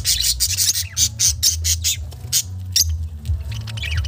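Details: Budgerigars eating vegetables give harsh, scratchy squawks and chirps in quick, irregular bursts over a low steady hum.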